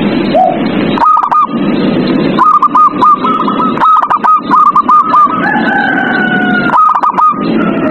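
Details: Zebra dove song at night, played to coax captive doves into singing: bursts of short, clipped, hooked whistled notes in rapid stuttering runs, repeated several times over a constant loud hissing, buzzing background.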